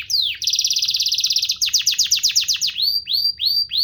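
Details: Canary song opening with a swooping whistle, then a fast rolling trill of clipped high notes, ending in a few clear falling whistles spaced about every half second.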